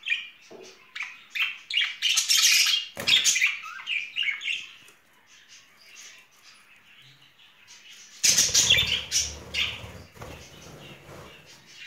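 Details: A pair of pet budgerigars courting in spring chatter in fast, scratchy, high-pitched bursts, with loud wing flutters around the third and eighth seconds.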